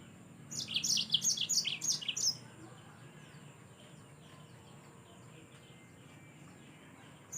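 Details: A yellow-fronted canary in full, active song for training other birds: a single brisk phrase of high, rapidly alternating chirps lasting nearly two seconds, followed by quiet background hiss.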